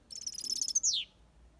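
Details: European goldfinch in an aviary singing the 'copia Malaga' song style: a fast run of high twittering notes, then a buzzy trill and a sharp descending slur at the end.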